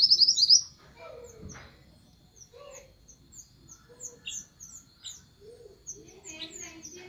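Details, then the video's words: An orange minivet calling its flock gives thin, high, sweet notes: a loud burst at first, then short, rapid chirps, with softer, lower calls from other birds beneath. "the orange minivet calls the flock"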